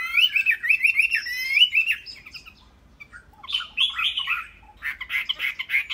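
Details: Chinese hwamei, an ornamental bird, singing rolling warbled phrases, pausing briefly, then resuming with bursts of buzzy, rapid notes.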